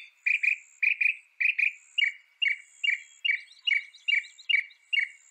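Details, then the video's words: Northern mockingbird (Mimus polyglottos), North America, repeating one clear double-noted chirp about twice a second in a steady series, with a faint high thin tone in the background. "Veja o canto do pássaro, ave zombeteira"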